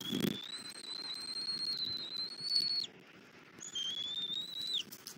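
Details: At a Southwest Florida bald eagle nest during a morning feeding of a chick with rabbit: two long, thin, high whistles, the first slowly rising and the second ending in a downward slur, with a brief knock at the start.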